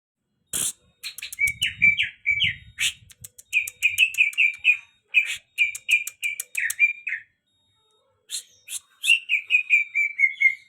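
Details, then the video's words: Very tame greater green leafbird singing a lively, varied song: rapid bursts of sharp high chirps mixed with short whistled, slurred notes, tumbling in quick runs with brief pauses, and one silent gap before the song resumes. "main cucak hijau over jinak"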